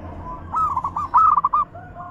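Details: Zebra dove cooing in a deep, crystal bekur style, used to encourage other doves to sing: one soft rising note and then a run of round, bubbling pulses, with low background hum.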